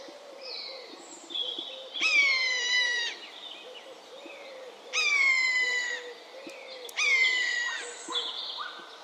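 Common buzzard giving three long, mewing, downslurred 'peeyoo' calls about every two to three seconds, with faint chirps of small birds in the background.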